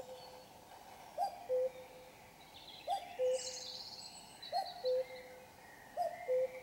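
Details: At 5 a.m. on a Sunday, before daylight, a common cuckoo repeats its two-note cu-coo four times, falling from a higher to a lower tone about every 1.6 seconds, while other birds sing softly in the distance.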